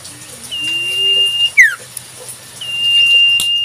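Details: Wild Common Iora in nature giving its sirtu-style song: a long, level, pure whistle held for about a second, then a quick sharp downslurred note, the whistle repeated once; faint lower calls from another bird underneath.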